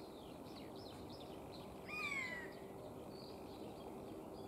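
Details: A single clear, descending mewing note from a singing Eurasian jay, set against light, high twittering of other small birds in the distance.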